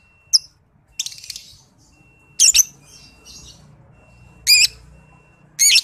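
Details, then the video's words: Young 'paud balibu' lovebird on a trigger and master recording for training other songbirds: shrill, harsh chirping bursts, some brief, some stuttered, spaced irregularly about a second apart, over a faint steady high whine. "PANCINGAN MASTERAN LOVEBIRD PAUD BALIBU"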